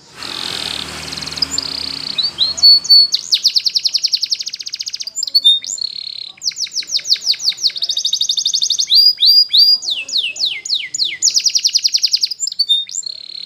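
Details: Belgian canary training song for young birds: after a noisy start, loud rapid rolling trills alternate with bursts of downward-slurred whistled notes, phrase after phrase.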